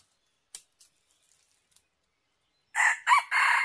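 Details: Red junglefowl crowing during decoy hunting: after near silence with a few faint clicks, a loud harsh three-part crow starts near the end, with a short kinked middle note between two broad, raspy syllables.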